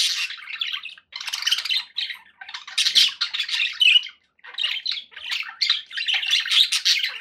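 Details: Budgies kept as household pets squawk and warble in harsh, buzzy bursts of one to two seconds, separated by short silences.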